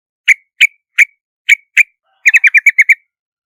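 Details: Five separate sharp notes, about a third of a second apart, then a fast run of seven clipped chatter notes from a yellow-vented bulbul, on a silent background.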